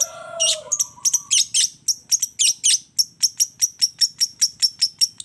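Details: Long-tailed shrike in a fill-in combination track meant to make other shrikes respond: brief low whistles give way to a fast, accelerating series of thin, high, clicking notes.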